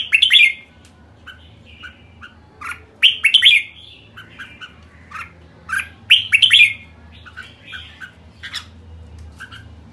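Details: Kekek call of a red-whiskered bulbul: bursts of bright, harsh chattering notes grouped in clusters every few seconds, with softer slurred notes between them over a quiet background hum.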